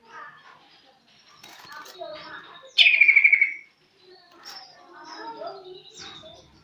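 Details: Greater green leafbird learning to sing, giving a loud rapid run of about eight clipped notes sliding down in pitch, set among scattered softer chirps and twitters, with faint voices nearby.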